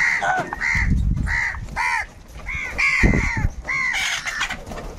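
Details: Caws from several crows fighting for food, a steady stream of harsh, downward-arched calls roughly two per second, with bumps and scuffling noise underneath.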